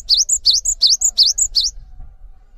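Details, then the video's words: Loud, clear cinereous tit song meant for training other birds: five or six ringing high phrases, each a swift downward-then-upward whistle plus a short higher note, spaced about a third of a second apart, then silence. "GELATIK BATU GACOR ANTENG UNTUK MASTERAN"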